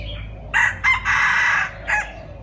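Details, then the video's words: Wild red junglefowl crowing: a short, hoarse, broken crow lasting about one and a half seconds, with several clipped segments and a brief final note, over a low steady background hum. "Gà rừng rặc gáy hay"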